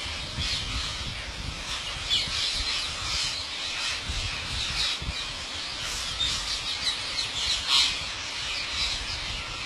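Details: Wild parrots, numbering in the millions, gathering to be fed by a farmer at his house in India: a dense, continuous chorus of shrill squawks and chatter from a huge flock.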